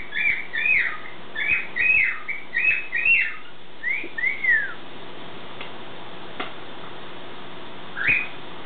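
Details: Caged pet bird's morning song: a run of bright chirped phrases, then two softer down-slurred whistles, a quiet pause, and one short rising tweet near the end, over low background hum.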